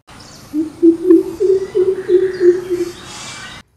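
Greater Coucal giving its deep, hollow booming call: about nine low 'hoop' notes in a steady run, each roughly a third of a second apart, with faint background noise.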